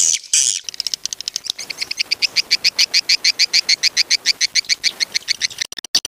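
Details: Swiftlet call meant to attract swiftlets to a bird house: after two harsh opening bursts, a rapid, regular run of bright, high chirps, about three or four each second.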